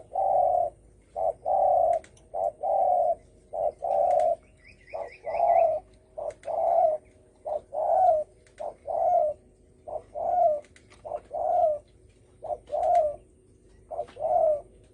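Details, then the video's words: Spotted dove giving the 'đồng thổ sấm' call style, used to provoke other birds: steady series of soft, low coos, a short note followed by a longer, slightly falling one, repeating about every second, with faint high chirps midway. "Tiếng chim cu gáy đồng thổ sấm kích bổi"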